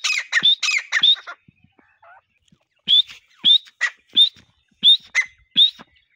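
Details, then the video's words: Partridge lure call: a short burst of harsh squawks, then a pause and spaced single rising whistled notes roughly every half second. "teetar ki boli | teetar awaz | shikari teetar ki boli"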